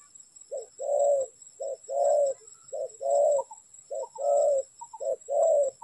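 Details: Spotted dove call played to lure birds into a trap: soft low coos grouped as short note then long note, repeating about every second, with a constant high-pitched hum behind.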